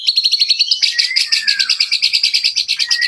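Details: White-rumped shama giving a rapid, steady run of bright repeated chirping notes, about three per second, over a sliding whistled tone.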